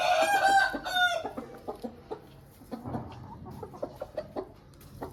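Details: Aseel rooster crowing: a loud, harmonic-rich crow of about one second opens the recording, followed by a scattering of short, softer clucks and knocking sounds.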